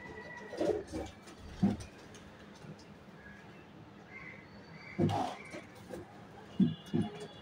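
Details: Pigeon kept at home giving soft, low coos in short bursts, one early, a louder pair midway and two more near the end, with quiet background noise between.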